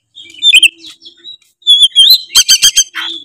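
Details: Oriental magpie-robin in full, lively ngeplong song, used to provoke rival magpie-robins: clear whistled slurs and warbles, then a run of five loud, sharp repeated notes in quick succession, followed by a closing whistle.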